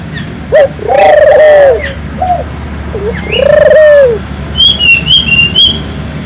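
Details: Gacor-style singing Barbary dove, played to set local doves cooing: two long arched low coos, each after a short lead note, with higher chirps from another bird at the end.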